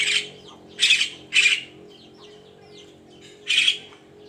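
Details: Javan myna in the morning: loud harsh squawking bursts, four broad noisy notes spaced irregularly over four seconds, with faint softer chatter between them.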